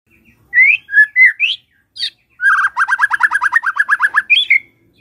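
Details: Morning lure song of a white-rumped shama for getting a silent bird to sing: a few rising whistles, then a fast, even rattle of rapid notes ending in a high flourish.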